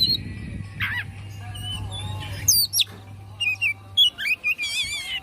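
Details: Oriental magpie-robin singing excitedly ('kongslet') with its tail fanned open: a varied string of sharp whistled notes, quick rising and falling slurs, and buzzy twittering phrases separated by brief pauses, over a steady low hum.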